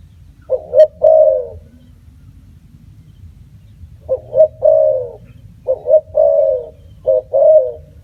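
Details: Spotted dove with soft cooing phrases, each two short notes then a longer slightly falling coo, first alone then several in a row after a pause.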